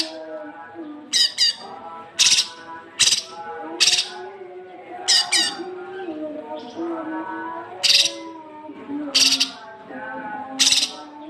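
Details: Cucak kinoi recorded as masteran training song for young birds: a series of short, sharp, loud notes, often in pairs, spaced roughly a second apart over a faint continuous low hum.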